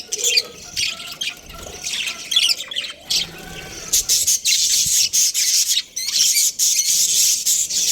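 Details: Budgerigar breeding pair: warbling chirps and short whistles at first, then loud continuous buzzy chattering with clipped squawks in the second half.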